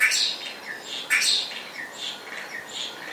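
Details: Spotless starling producing rough, squawky notes, about one every half second and uneven in loudness, with short scratchy high bursts between them.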